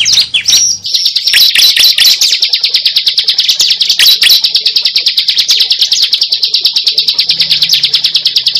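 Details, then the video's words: Cible (prinia) lure sound: a few sharp opening chirps, then a long, steady, rapid trill of high buzzy notes pulsing many times per second. "Pikat suara burung cible terbaru sangat ampuh"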